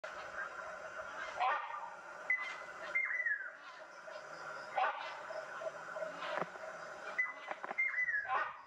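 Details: Rhinoceros hornbill at dusk, flying past, gives loud, nasal honking calls with a buzzy, layered tone, repeated several times over a busy background with short whistled notes and clatter.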